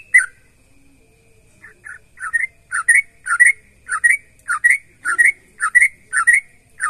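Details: Energetic song of a sooty-headed bulbul, used to encourage other bulbuls to sing: a single warbled phrase, a short pause, then about eleven repeated liquid two-note whistles at a steady, rapid pace in a quiet setting.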